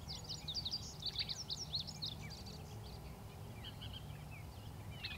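A Western Meadowlark gives a quick, bubbling phrase of flutey, tumbling notes, then softer scattered notes, over a steady low rumble of wind or distant traffic.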